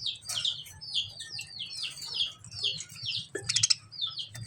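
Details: Lovebird chirping: a chain of bright, high, downslurred notes in quick succession, interrupted by a sharp, scratchy burst near the end.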